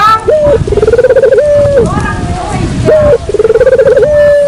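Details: Dove calling as a lure: two rounds of rolling, pulsed coos, each closed by a level hooting note, with a noisy pause between them.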